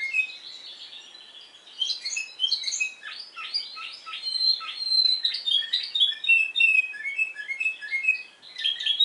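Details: A Spanish timbrado canary on Madeira, Portugal, sings the discontinuous timbrado song: it opens with soft notes, then gives a fast rattling trill followed by louder, ringing whistled phrases.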